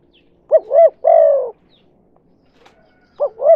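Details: Spotted dove lure call in the 'kuk 2' pattern for attracting other doves; a quick double coo and a long falling coo, a pause of about two seconds, then another double coo begins.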